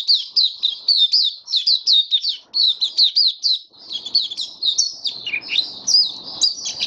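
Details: Open song of a caged white-eye, 23 March 2022, diet adjusted for warm humid weather: a rapid series of sharp, repeated high chirps that turns into more varied, swooping twitters near the end.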